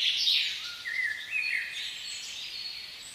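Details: Mellow whistled phrases from a common blackbird singing in a spring forest, rising slightly in the first half, with high chirps and trills of other birds throughout.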